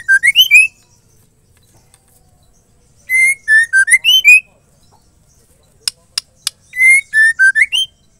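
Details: Female white-rumped shama singing to excite males and get them singing: the same short whistled phrase of five to six rising and falling notes repeated about every three seconds, with three sharp clicks between phrases.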